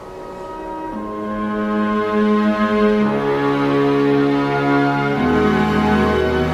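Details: Sustained orchestral music plays, its low notes shifting to new chords every few seconds, with no animal voice audible.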